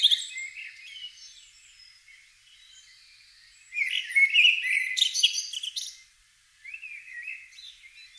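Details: Spring dawn song of a common blackbird in British countryside: high scratchy twittering, then a loud, rich burst of warbled and squeaky notes midway, a pause, and a final quieter warbled phrase.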